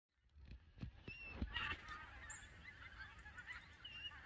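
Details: Migrating Canada geese at Lambwath Lakes, Aldborough, a noisy flock passing: several loud honks early on, then a dense overlapping chorus of calls with a steady low rumble of wind or background noise throughout.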